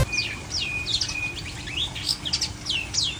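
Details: Long-tailed shrike singing uncovered, with no cage cover and no flipping: quick varied whistled notes, rising and falling slurs with sharp chirps in fast succession, over a low steady hum.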